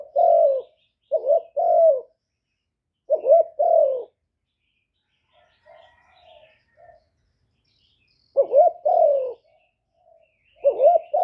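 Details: Spotted dove, a caged decoy bird kept to lure and stimulate wild doves: low, mellow three-part coos, a short note then a rolling double 'croo-oo', repeated in about five phrases with soft faint notes between and a quiet gap mid-way.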